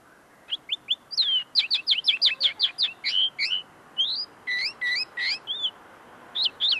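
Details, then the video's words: Common linnet singing up close, a very tame bird whose song is not yet fully refined: rapid high chirps and slurred whistles in a near-continuous chattering stream, with brief pauses between bursts. "pardillo cantando delante de mi"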